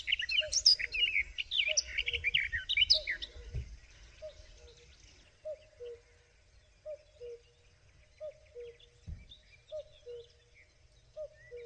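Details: Common cuckoo calling: a steady two-note cu-coo, the second note lower, repeated about every one and a half seconds. Other songbirds chatter loudly over the first five seconds, and there are two dull thumps.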